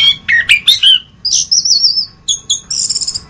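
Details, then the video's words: Song of the orange-headed thrush: a few rich warbled notes, then a long wavering high whistle, followed by stuttered double notes and a trilled, buzzy phrase, with soft low background hum. "Masteran Anis Kembang"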